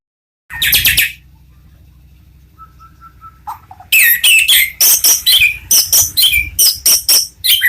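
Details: Champion-bloodline white-rumped shama kept in a bird farm cage: an opening burst, a quiet gap with faint steady notes, then a fast run of loud, sharp, varied phrases repeated roughly every half second.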